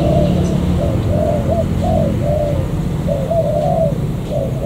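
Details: Wild-caught local spotted dove from the An Giang border area, Vietnam, giving soft mid-pitched coos, some drawn out and slurred together, unevenly spaced, with a low background rumble throughout.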